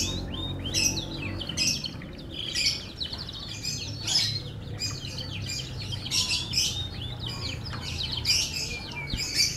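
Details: Canary of F1 line singing a sustained medley of fast buzzy trills, quick chips and downward sweeps in repeated bursts, with a steady low hum in the background.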